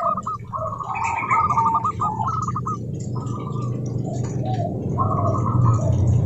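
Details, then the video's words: Local zebra doves, a lure recording to get other doves singing: rapid rolling trilled coos, several phrases overlapping, over a steady low rumbling background noise. "Suara Burung Perkutut Lokal Gacor OBAT MACET BUNYI, pancingan perkutut agar bunyi jamin NYAUT EMOSI"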